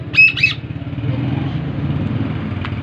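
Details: Black francolin call: a short pair of harsh, grating notes at the start, followed by steady low background rumble.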